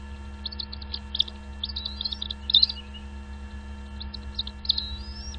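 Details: Baby birds in their nest being fed by their parents, giving bursts of sharp high chirps and short slurred whistles in scattered groups, one ending in a long rising whistle, with a constant low hum behind.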